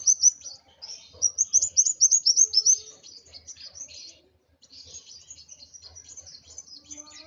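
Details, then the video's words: Highly agitated Van Hasselt's sunbird pours out loud fast sequences of thin, high chipping notes, then continues with quieter scratchy twitters after a short pause. "Burung Kolibri Wulung Emosi Sampai ke Ubun Ubun"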